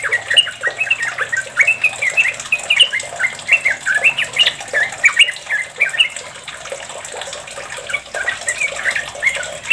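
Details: Sooty-headed bulbul in long, rapid 'ropel' song, played to prompt other bulbuls to sing: dense run of short bubbly, warbled notes, overlapping and almost continuous for ten seconds, with a faint steady hiss behind.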